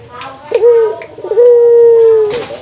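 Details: Local Indonesian Barbary dove, calling to get other doves calling. A short coo is followed by a long, level, sustained coo, with faint clicks and background noise.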